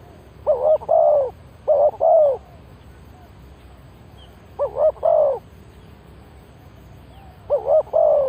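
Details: Spotted dove decoy calling to lure wild birds: three separate phrases of soft, low cooing, each a short clipped note followed by two longer, slightly falling coos, spaced a few seconds apart over a faint low hum.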